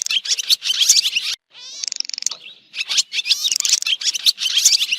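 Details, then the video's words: Busy swallow twittering from 2023: rough high chirps, a brief silence, then a smooth buzzy trill and a return to dense, scratchy chattering. "swallow bird sound"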